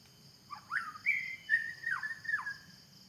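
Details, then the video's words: Forest song of a white-rumped shama: a short run of rich whistles, rising then held, broken by quick downward-swooping notes, with a constant high hum behind. "Suara burung murai batu di hutan"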